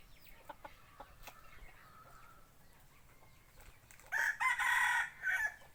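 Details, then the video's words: Decoy rooster used for forest hunting, crowing a four-part call of short, short, long and short notes near the end, after a stretch of faint whistles from other birds in the background. "Tiếng gáy gà mồi"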